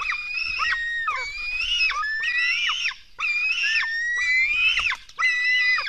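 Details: Black stork chicks being fed at a nest in Latvia, 24 June 2016, 04:53, give long, hoarse, wavering screeches. Some calls rise in pitch, and two brief pauses break the calling.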